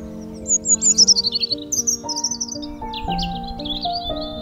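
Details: In spring, songbirds sing to attract mates for breeding near a marsh, giving high, rapid twittering and trilled phrases over steady background music with sustained tones.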